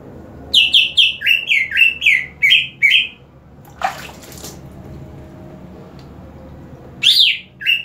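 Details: After being sprayed with water, a caged green leafbird keeps singing: a fast series of about eight bright down-slurred whistles, a short burst of spraying water, a pause, then two more sharp falling notes.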